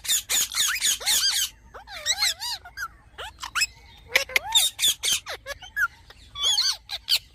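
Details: Green parrot giving harsh, harmonic-rich squawks in short bursts, some with wavering, looping notes, separated by brief pauses; quiet background.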